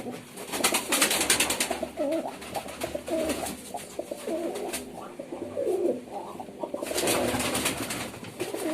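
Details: Pigeons cooing indoors: soft, low, rolling coos repeated through the recording, with scattered bursts of broadband rustling and clatter in the room.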